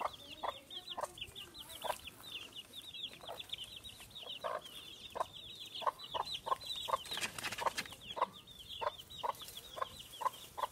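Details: In the countryside, a mother duck with her newly hatched ducklings gives short, low, clucking notes about twice a second, while the ducklings keep up dense, continuous high peeping throughout.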